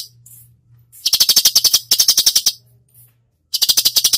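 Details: Cucak cungkok singing in the full 'tembakan' masteran style: quick runs of dry, staccato rattling notes in bursts under a second long. A faint low hum sits underneath.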